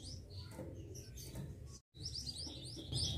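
A pied bushchat sings in quick, high chirps and short whistled phrases, busier toward the end, over a steady low rumble with one brief cut.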